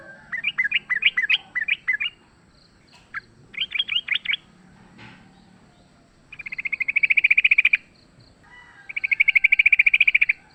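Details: Sooty-headed bulbul recorded in the wild while fighting, a lure sound: bubbly warbled notes at first, then two long fast rattling trills, each lasting over a second.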